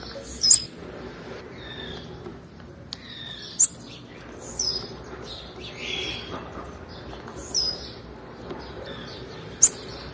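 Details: Female blue-black grassquit calling to stimulate males: sharp, high-pitched chip notes repeated about every three seconds, each brief and piercing, with faint thin chirps and steady low hiss between them.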